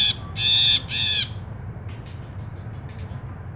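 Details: Ashy bulbul in full voice, used as a lure and tutor recording for songbirds: two loud, harsh, buzzy notes with a steady nasal tone, then faint short notes and a brief high whistle over low background hum.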